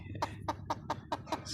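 A Chinese francolin gives six harsh, clipped notes in an even run, about five each second, over a low background rumble.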